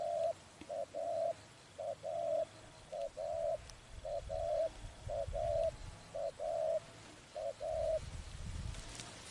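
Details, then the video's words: Spotted dove, trapping context, repeats a two-part coo about eight times: a clipped short note, then a longer hollow coo. The rhythm is steady, with low rumbling noise rising toward the end. "Bẫy Chim Cu Gáy"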